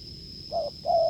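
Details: Wild spotted dove cooing hard near a decoy: a brief low coo followed by a louder, longer note that sags slightly at the end. A steady high whine is heard throughout.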